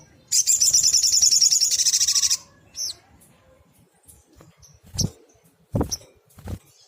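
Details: A sunbird, sogok ontong, singing vigorously for use in training other songbirds: a long, fast, buzzy high trill of about two seconds, then a few thin chips and low knocks.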